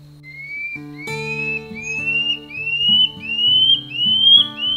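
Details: A Common Scale-backed Antbird, an antbird of the shrubby Amazon forest understorey, sings a series of about nine clear upslurred whistles, each a little higher than the last, over soft background music.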